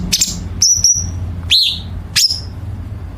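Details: Chinese bulbul recorded as a training song for competition birds, with sharp, rapid 'tembakan' bursts. Short, high whistled and chirped notes come in separated bursts over a low background hum.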